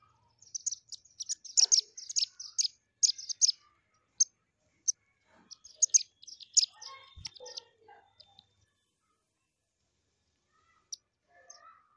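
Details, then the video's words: Indian silverbills gather in the morning at a rooftop feeder of seeds hung in bottles, hundreds visiting daily; bursts of soft, high twittering chirps come in quick clusters, then thin out into sparse single notes and quiet gaps. "Indian silver bill मुनिया"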